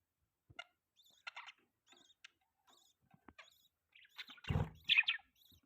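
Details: Pet budgerigars chirping: scattered short high chirps and brief warbled notes, ending in a louder burst of squeaky chatter with a low thump.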